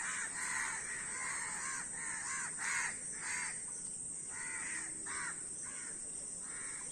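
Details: A flock of crows cawing, loud hoarse caws repeated in quick uneven bursts, some overlapping, over a constant high-pitched hiss.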